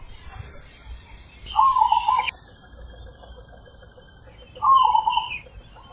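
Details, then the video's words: Zebra dove cooing in the deep, full ulem style: two short, rolling, trilled coo phrases separated by a pause of about three seconds, over a hissing background. "Perkutut Manggung ULEM Super BESAR"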